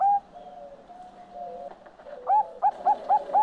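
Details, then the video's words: Bangkok-type zebra dove (perkutut Bangkok) in song (manggung): a brief coo, a stretch of quieter low steady cooing, then a quick string of five clipped, rising hoots. "SUARA PERKUTUT BANGKOK MANGGUNG"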